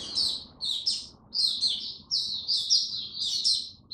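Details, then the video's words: ['High, sweet twittering from a caged oriental white-eye in Buka Sing Raja style, kept through cold rainy weather: quick chirpy phrases repeated roughly every half second, steady and lively.'] "Mata Puteh Buka Sing Raja"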